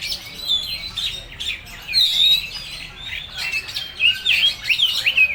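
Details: Oriental magpie-robin singing a varied run of sharp whistles, chirps and short warbled phrases in bursts, with brief pauses between notes.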